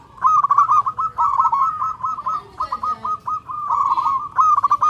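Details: A local zebra dove calls loudly and clearly for a companion in a rapid, chattering series of short, low cooing notes. Brief gaps break the series, and there is a little background noise.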